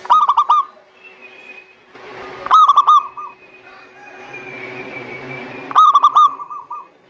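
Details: Zebra dove, a local bird, sings in a lure recording meant to get lazy doves singing: three short bursts of quick, clipped coos, each ending in a drawn-out trill, separated by quiet gaps with faint background noise.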